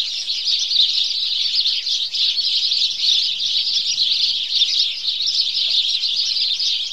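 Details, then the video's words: A flock of house sparrows in a morning chorus chirps together in a dense, unbroken wash of high, bright cheeps, with no pauses or other clear sounds. "Morning Chorus Of House Sparrow"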